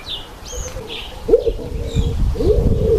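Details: Speckled pigeon giving low, hollow cooing notes that swell and fall, two coo phrases in the second half, over a low background rumble with faint high chirps from other birds.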